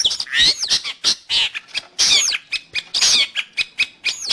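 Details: Song of a long-tailed shrike, played to train pet birds or lure wild ones: loud, harsh rasping phrases and squeaky notes in uneven bursts, separated by sharp clicks.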